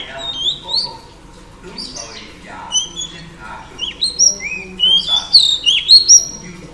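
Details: Female oriental magpie-robin singing to provoke males; it starts softly with scattered whistles, then builds into louder, faster sweeping whistled notes and shrill high chips toward the end.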